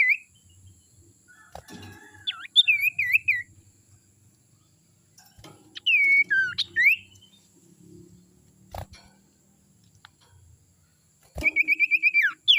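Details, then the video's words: Young wild sirtu recorded as a lure call: scattered whistled notes with rising and falling loops, ending in a rapid wavering run of about eight notes, with soft rustling and knocks in the background. "suara sirtu muda hutan ini suara ampuh pancingan"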